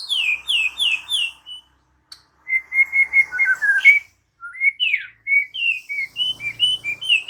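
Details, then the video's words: White-rumped shama singing vigorously, a varied run of loud whistled notes: quick downslurred phrases, a chattering buzzy stretch, then rising and falling slurred whistles after a short pause. "Seketika murai batu NYAUT GACOR dan BONGKAR Muatan dengan Kicau murai ini"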